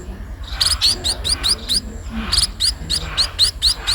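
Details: Sparrow begging as it is fed: rapid series of high, sharply rising chirps, about four per second, in two excited bursts with a short pause between, over faint low noise.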